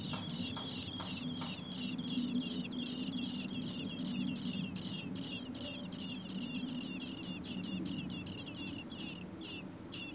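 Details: Four common blackbird nestlings begging in the nest while parents feed them on a hot day above 30 °C; an unbroken stream of high, rapid squeaky notes, a few lower clicks early on, over continuous low background noise.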